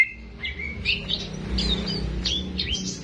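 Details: Kept greater green leafbird in full song, recorded to tutor young birds: scattered short whistled and chirped notes, some rising, some falling, over a low steady background hum.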